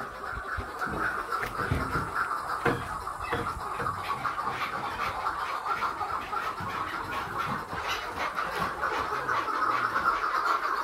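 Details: Captive chukar partridges, in a flock that includes two-month-old young and older birds the keeper says call to fight, give fast, irregular clucking of about two or three notes a second over broad background noise.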